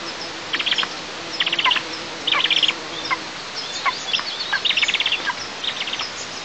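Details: Eagle chicks at a nest in Tatarstan's southeast oil districts, 6 July 2024, complaining that their mother eats alone: short bursts of rapid, high chittering squeaks, separated by quiet gaps of about a second.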